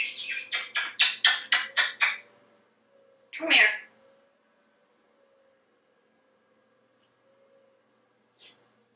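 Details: African Grey Parrot kept as a talkative pet in a Texas home repeats about seven quick beep-like notes, then a loud rasping squawk, followed by near silence and one faint chirp.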